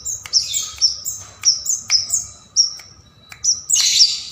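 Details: Bar-winged prinia singing steadily, used for training songbirds: a regular string of about eight piercing whistled notes, each with a quick downward flick, spaced roughly half a second apart, ending in a brief harsh burst.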